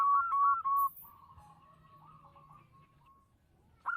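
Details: Local zebra dove in steady song with a big voice: three loud clipped cooing notes open, followed by soft faint tones and a brief loud note returning at the close.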